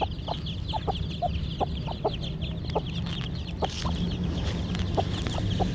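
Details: Young Aseel chicks, excited, in village backyard keeping: rapid overlapping high peeps run throughout, broken by scattered short lower clucks and a constant low hum underneath.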